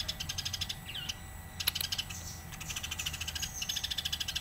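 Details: House sparrow chattering in a 'gacor' master recording used to tutor songbirds. A stream of rapid, sharp chirps is broken by a single bright falling whistle and a click.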